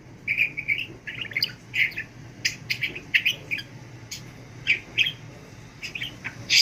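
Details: Pet budgerigar in training to talk, chattering without pause: quick, scratchy chirps and warbled syllables in short clusters over a low room hum.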